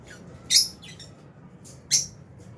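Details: Fisher's and albino lovebirds kept in an aviary at meal time; two loud, piercing high chirps about a second and a half apart, with fainter squeaks around them.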